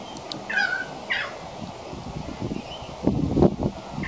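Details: Juvenile pied currawong rehearsing song, giving two drawn-out, downward-slurred whistles close together, then quieter notes, with thumps and rustling underneath.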